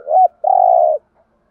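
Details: Single thúc gù phrase from a spotted dove kept as a decoy for luring wild doves: a brief rolled note, a short pause, then a long sustained coo.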